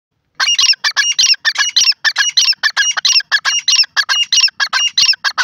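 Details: Grey francolin, called dakni teetar, giving a fast run of loud, harsh, squawky notes, about twenty in five seconds, in a clear quiet setting.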